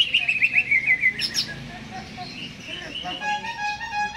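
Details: Caged greater green leafbird singing in full voice before being hung up: a fast, descending run of chirped notes near the start, then quieter warbled phrases and a rising whistled strand, with faint background voices.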